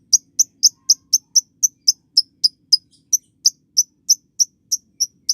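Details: Lovebird masteran recording for young birds learning to ngekek. A steady stream of bright, clipped high chirps comes nearly four per second and runs evenly throughout with little pause, over faint low hum.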